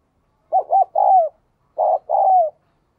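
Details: Spotted dove kept as a decoy to provoke wild doves into cooing fast, giving two low coo phrases: quick clipped notes followed by a longer, smooth coo that slides downward at the end. Quiet otherwise.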